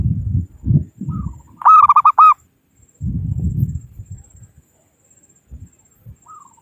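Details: Zebra dove of the local type, its call used to lure rivals for trapping, gives one short run of rapid rolling coos, with a faint lone note later; low knocking and handling noises fill the gaps.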